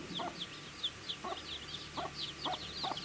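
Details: Baby chicks at their feed give scattered, piercing high chirps, while low pecking taps recur about every half second.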